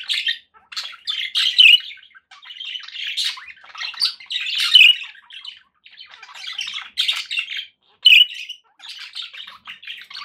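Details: Contented pet budgerigars keep up steady warbling chatter, mixing raspy squawks and high chirps in irregular bursts, each a second or so long.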